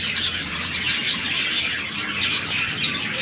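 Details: Breeding pair of red-eye lutino budgerigars, king-size male and undersize female, in captivity; rapid high warbling chatter with quick whistled chirps and short squawks repeating.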